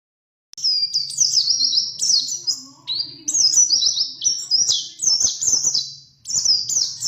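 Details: White-eye song in the ngerol, ngalas and nembak style, meant as master recording for training songbirds: long, rapid, high twittering warble with slurred rising and falling phrases and short breaks, a faint low hum beneath.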